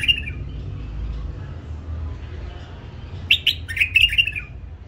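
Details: Hybrid bulbul bred and trained by its keeper, singing a brief whistled note, then a pause, then a lively burst of clear chirped phrases near the end.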